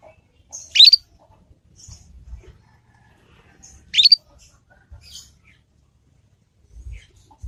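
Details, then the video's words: Young Yorkshire canary learning its 'ngriwik' sound, used as a lure to help other canaries learn quickly. Two sharp, upward-sweeping high chirps come about three seconds apart with near silence between them and faint low thumps. "Kenari Manapun Pasti Nyaut dengan pancingan masteran kenari paud ini"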